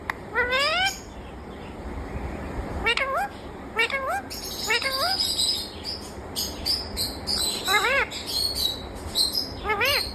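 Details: Talking rose-ringed parakeet, said to speak "Mummy Mitthu": short bursts of rising, nasal, voice-like syllables in clusters near the start, around three to five seconds and again toward the end, over a steady high electronic whine and faint room noise.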